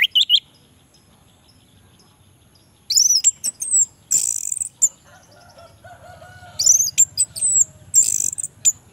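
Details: Orange-headed thrush song meant to provoke lazy males: one short whistled phrase, a long silence, then scattered bursts of high chattering notes and thin whistles, with faint lower tones in between and quiet background hum.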